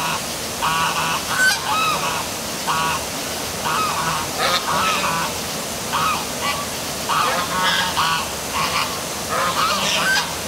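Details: At dark night, geese (possibly ducks) by the downtown waterfall at City Hall, Milford, Connecticut honk repeatedly in overlapping nasal calls, several birds at once, over steady rushing water.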